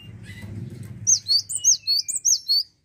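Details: Cinereous tit singing actively: a fast run of about seven sharp, high chirped notes with slurred tops, delivered in roughly one and a half seconds after a quieter stretch of low background rumble.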